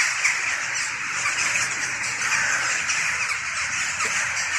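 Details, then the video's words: Pre-dawn corvid gathering of jackdaws, hooded crows and rooks sitting in trees and circling overhead in a large cloud, common before frosts; steady roar of many overlapping rough cawing and chattering calls, with a few harsher squawks above the din. "Голос врановых."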